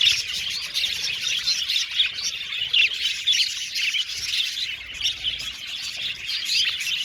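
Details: Australian budgerigars kept as an aviary colony, lively chattering chorus that swells and dips, with sharp chirps and squeaky warbles from many birds.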